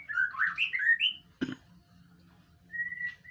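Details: White-rumped shama training recording for prompting a reply: a short flourish of rich, looping whistles, a sharp click, quiet gap, then one drawn-out level whistle; low background hum.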